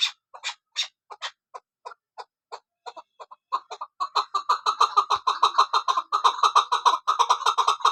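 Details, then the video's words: Female chukar partridge, a Kabuli chakor, used for hunting, calling: a series of sharp clucking notes, sparse and spaced at first, then speeding up into a dense, rapid chatter of rhythmic chuck notes. "Shikari Chakorsound Keklik sesi Kabuli chakor Femalechakor awazشکاری نرمادی چکورآواز"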